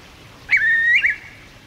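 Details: A single loud whistled curlew note from birds circling overhead, level at first and then lifting at the end, lasting about half a second.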